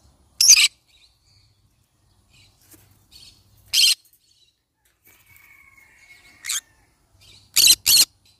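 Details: Yellow-sided conure parrot letting out loud, abrupt, raspy screeches separated by pauses of a few seconds, the last two in a quick pair, with faint chatter and a thin whistle between.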